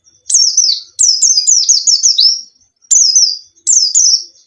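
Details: White-eye luring song for a caged bird that is slow to sing: a long tumbling string of high descending chirps, then two shorter bright phrases after a brief pause.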